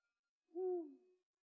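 A Eurasian eagle-owl gives one deep, hollow hoot lasting under a second. It swells quickly, then trails off softly with no other sounds.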